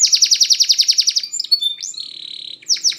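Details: Spanish Timbrado canary song used for training canaries: a fast run of bright repeated notes about eight per second, then sustained metallic trills and rising whistled slurs, ending with quick falling notes.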